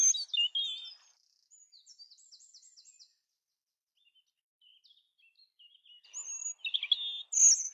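A European robin sings high, thin phrases of liquid warbles and quick trills, pausing between bursts; no other sounds intrude.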